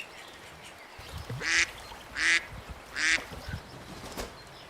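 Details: Little ducks calling: three harsh, nasal quacks spaced about three-quarters of a second apart, each short and buzzy, over a soft background hiss.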